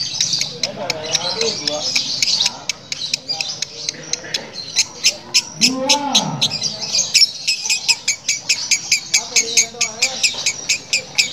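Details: Strange, coarse cackle of a female lovebird, compared to a diesel engine, heard as a rattling train of sharp pulses that grows steadier in the second half, while human speech and a squawk mix in.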